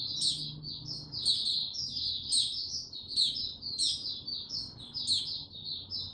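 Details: Male mata puteh, the white-eye, singing cautiously before breaking into full song, recorded 6 March 2022; high twittered phrases swell and fade, with a sharp upward note roughly every second and a soft low hum.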